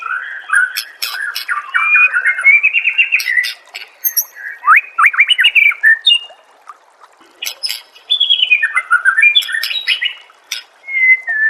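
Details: White-rumped shama song used as a master recording to get other shamas singing: a rich, varied stream of clear whistles, quick slurred trills and sharp clicking notes in bursts, with a short pause near the middle.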